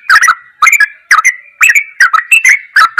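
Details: Sooty-headed bulbul master track in goklikan style: paired clicky chirps in rapid clusters, about two per second, over a faint sustained whistle running beneath.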